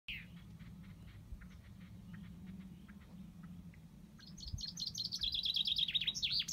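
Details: Common chaffinch singing: soft scattered high notes at first, then a loud, fast run of repeated high chirps that descends toward a final flourish.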